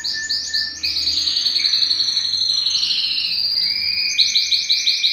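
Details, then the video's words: Male-stimulating Belgian canary song meant to bring females into breeding condition: rapid bubbling trilled tours, high and continuous, with a lower steady whistled tone beneath, shifting pitch about every second. "Canto Para Esquentar Canário Belga e Foguear as Fêmeas"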